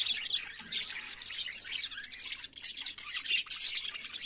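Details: Morning chatter of budgerigars: a tumbling, scratchy mix of high squeaks and fast twitters that swells and dips without a break.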